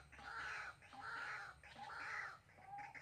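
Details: White-breasted waterhen, a new decoy bird used to lure others for trapping in Soc Trang on 2 February 2021. It gives three long, harsh, grating phrases of about two-thirds of a second each, with brief gaps between them.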